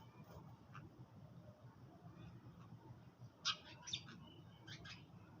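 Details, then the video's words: Sparrows give short, bright chirps in scattered bursts while eating their food in the early morning, a few loud notes standing out over a steady low rumble of background noise. "Sparrows _ little birds_ chirping sound"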